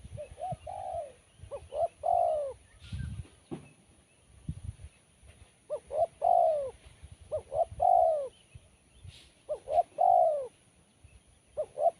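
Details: Kuk 1 style spotted dove song with a sharp, crisp tone. Repeated three-note coos: brief rising notes leading into a longer falling coo, delivered about five times in twelve seconds, with a soft knock and light background rustle.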